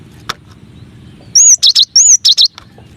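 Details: Cinereous tit, known locally as gelatik batu or gelatik wingko, in a tutor recording for training songbirds: two high phrases, each a clear rising whistle followed by three short buzzy chirps, over faint background noise.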